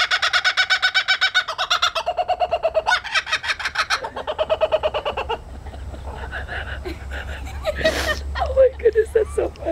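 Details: Laughing kookaburra (Dacelo novaeguineae) giving its raucous laugh: rapid, harsh, rolling hoo-hoo notes about five a second, easing into lower chuckles, with a brief rustle near the end.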